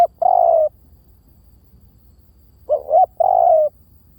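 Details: Clear lure call from a spotted dove: the end of one long falling coo, then after a pause a fresh phrase of two rising hoots and a drawn-out coo, over a quiet background.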